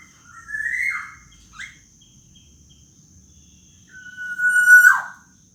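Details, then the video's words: Captive young black-naped oriole, local bird, giving its plaintive wailing call: a buzzy rising-then-falling nasal note, a short chip, a pause, then a long level whistle ending in a harsh downward squeal. "suara rintihan kepodang emas lokal"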